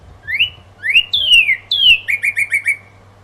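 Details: Northern cardinal singing at dawn: two rising whistles, two long downslurred whistles, then a quick run of five short clear down-slurred notes, over a faint low hum.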